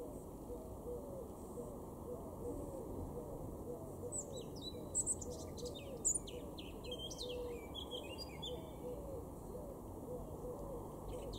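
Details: Male Eurasian blackcap singing in a garden in Weener, East Frisia, northwest Germany, in April 2022: faint, quick warbling phrases of varied high notes in the second half, over steady low rumbling background noise.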